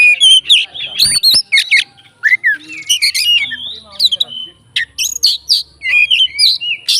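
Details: Oriental magpie-robin kept as a fighting bird, singing to provoke others: a dense, loud stream of varied whistles, chirps and rasping squawks, about four notes a second, irregular in rhythm.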